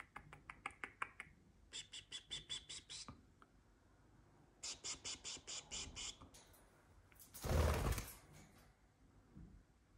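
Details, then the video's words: Pet budgerigars in Hamburg on 15 October 2024 give bursts of quick, sharp, high chirps, about ten a second, in short runs; a loud rustling burst comes near the end. "Wellensittiche piep"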